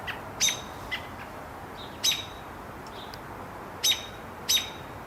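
American Robin giving sharp, high, thin alarm notes, four or five spaced unevenly over five seconds, against a steady soft hiss.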